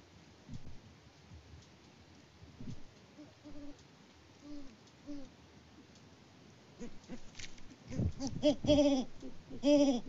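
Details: Mated pair of wild Great Horned Owls on a Kansas farm near Peabody, filmed by live cam in February 2024, the male out of view. Faint low hoots early on, then a louder burst of deep, harmonic-rich hoots near the end over background rustling.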